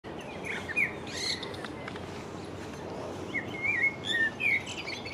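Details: Common blackbird singing from the stump of a sawn-off branch beside the Long Water: brief, mellow whistled phrases with gaps between them, over a steady outdoor hiss.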